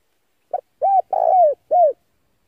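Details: Lure recording of a male spotted dove: one four-part coo, a clipped first note followed by a rounded coo, a drawn-out descending wavering coo, and a last rounded coo, clean and without background.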